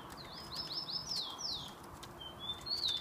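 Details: Saffron finch (tico-tico) kept by a keeper, bred from a named line, filmed 27 September 2015 in São Paulo. Faint high sliding chirps, a short run of descending notes then a few thin whistles, over a steady noisy background.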